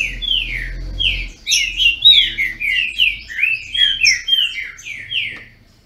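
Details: Captive Green-winged Saltators from a registered Brazilian breeder sing in a dueling contest. Loud, rich whistled phrases slur downward and overlap rapidly, about a dozen notes packed into a few seconds, with a low hum underneath at the start.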